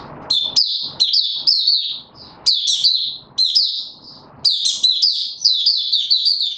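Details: Male white-eye (mata puteh) being pushed on form, opening song recorded 31 December 2021: high, thin, rapid twittering phrases of sliding whistled notes, bursts separated by short pauses, faint background clatter.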